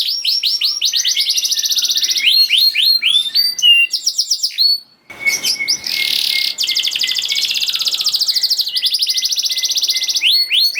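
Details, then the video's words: Canary song for coaxing silent canaries: rolling trills and falling whistles, a short gap, then long buzzy trills over a steady whistled tone and more rapid rattles. "Kenari Gacor Speed Rapet Ampuh Buat Kenari Macet Jadi Ikut Gacor Lagi || Voice of Canary"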